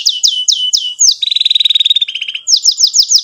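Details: Domestic canary in long, vigorous song with rolled trills, used as a tutor song for young canaries. Quick falling whistled notes repeat about every quarter second, then a fast buzzy trill drops to a lower rattle before the rapid descending notes return.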